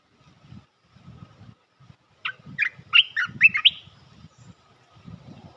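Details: Bulbul trapping lure call meant to bring down the local territorial bird: a fast bubbling phrase of bright chirps and short whistles, with soft low thumping sounds underneath throughout.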